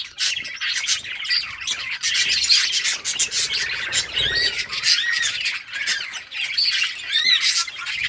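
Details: Playing budgerigars in summer breeding season: a dense wash of twittering and buzzy warbles, with looping whistled notes and brief squeaks from a group of birds.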